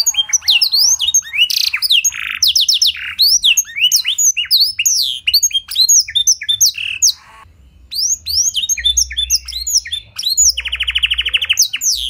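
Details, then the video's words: Canary singing a clear blackthroat-style fill-in, used to provoke and tutor other canaries. Long, dense run of chips, trills and sweeping whistles, a brief lull, then a strong rolling trill. "Pancingan & Masteran Burung Kenari Isian Blackthroat Suara Jernih! Bakal Langsung Ikut Gacor"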